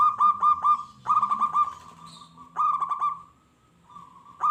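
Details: Local zebra dove song meant to make wild doves answer and grow aggressive: rapid runs of short, punchy coos in bursts, one fading into a sustained hum before a fresh burst begins, with a faint low rumble underneath.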